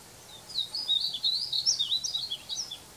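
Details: A male Painted Bunting, recorded July 24, 2020, sings a high, sweet, rambling warble of quick slurred notes lasting over two seconds, with faint background hiss.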